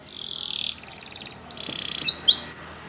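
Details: Timbrado canary song meant for training, opening with a steady high metallic tone, then a rattling trill and a sustained note before sharp rising whistles, over a faint background hiss.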